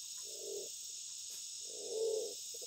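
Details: Black-naped fruit dove, locally Walik Bondol, calling a female in breeding season when eggs are laid: two low, soft hooting coos, the second longer and louder, over a steady high hiss of insects.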